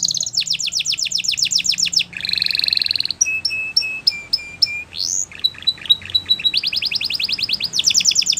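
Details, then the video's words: Song of a Belgian canary meant to teach young canaries, shifting between fast rolled trills, a harsh buzzy phrase, spaced clear whistles at one pitch, and quick descending chirps, with faint background hum. "Canary Teacher For Your Preschool Canary!! Belgian Canary Singing"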